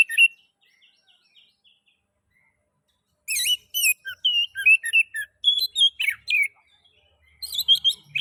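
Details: Oriental magpie-robin song intended to stimulate other magpie-robins: soft opening whistles, a pause, then a lively sequence of varied whistled and sharp notes, some falling, ending in a brief chirpy burst.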